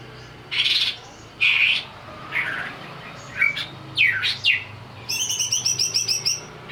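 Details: Greater green leafbird (cucak ijo) provoked into singing while agitated: loud slurred whistles and buzzy notes, then a rapid series of ringing chips, over steady background hiss and hum.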